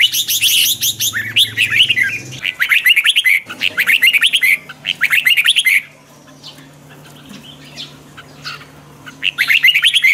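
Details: Twisting-voice morning song of a red-whiskered bulbul, used as a lure and mixed to provoke wild-caught birds. Dense bursts of rapid, rising whistled notes, a long quiet stretch near the middle, then singing resumes, with a faint low hum.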